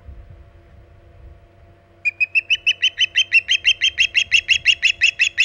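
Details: Osprey at its nest on Hog Island, calling in extended nest time around late morning in mid-August 2019: after quiet, a rapid series of sharp, high whistled chirps begins, repeated about three per second, steady and insistent, with low background hum.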